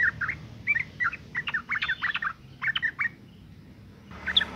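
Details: Calls of a female sooty-headed bulbul in breeding condition, used to lure males into singing: lower, rounded chirps in tight clusters over about three seconds, a quiet gap, then a final brief burst.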